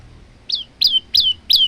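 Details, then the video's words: Male Olive-backed tailorbird singing for tutoring other birds: four high, sharp notes, each sweeping up and then trailing downward, spaced about a third of a second apart. "burung prenjak lumut gacor untuk masteran"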